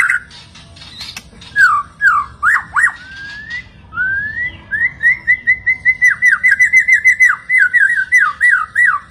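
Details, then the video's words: White-rumped shama singing a few scattered slurred whistles, then a long quickening series of clear repeated whistled notes at an even pitch. "MURAI BATU MACET, STRES Langsung NGRESPON dan Nyaut Denger KICAUAN INI"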